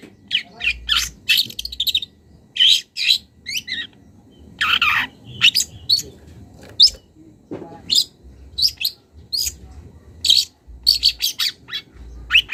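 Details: Long-tailed shrike, young and wild, calling at a rival and showing its borrowed phrases: irregular volleys of scratchy chirps and one long hoarse rasp midway, with low background murmur.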